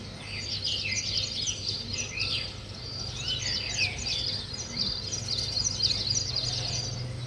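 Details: Nest-building weaver birds keep up a continuous, overlapping chatter of high, quick chirps, several birds seemingly calling at once, with a low steady hum behind.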